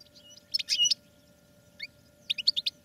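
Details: Short excerpt of caged goldfinches in training: a quick twittering burst, a brief pair of chirps, then a rapid run of bright high notes.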